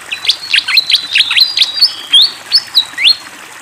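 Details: Fantail in strong song with flowing water: a rhythmic string of sharp downslurred chirps, roughly four per second, followed by longer stepped whistles that rise and hold.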